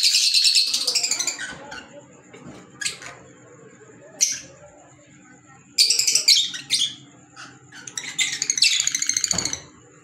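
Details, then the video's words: Fischer's lovebird, green, giving scattered shrill chirps and chattering bursts separated by quieter gaps, with a steady faint high tone in the background. "Fisher Love Birds Sound"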